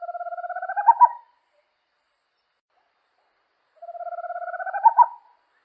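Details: Corujinha da amazonas, a small owl that lives at night in forests; two fast hooting trills, each about a second and a half long and ending in accented notes, about three seconds apart, in clean silence.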